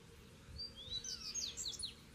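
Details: Double-collared seedeater song in a territory where two birds sing at a distance from each other: a quiet, fast run of high slurred and descending whistled notes over a steady background hiss and low rumble.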